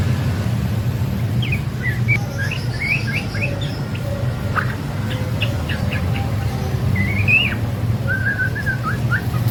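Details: A white-rumped shama of the trotol type, sung nonstop for tutoring other birds, gives short, sharp whistled notes and rising slurs, ending in a quick run of chirps, over a loud steady low engine-like hum.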